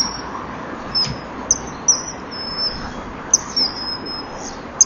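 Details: Common kingfisher pair, male preening with female behind, on a nest-wall camera in April 2013 around 17:40, exchanging calls before mating: short, shrill, high piping whistles, some drawn out, repeated irregularly over soft hiss.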